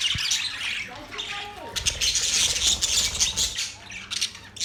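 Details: Budgies twitter and squawk in a lively high chatter; a brief low thump or voice-like sound appears near the start.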